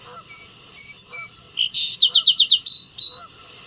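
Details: Song sparrow (Melospiza melodia) song: a few high, clear introductory notes, then a quick bright run of about six repeated notes and a sustained closing note, over faint background hum; a male may switch among about ten song types.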